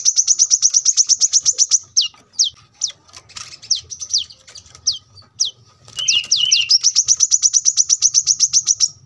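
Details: ['Brown-throated sunbird masteran song recorded near a road: long rapid high chirp trill, then spaced sharp downslurred whistles, then another sustained chirping trill; faint low traffic rumble beneath.']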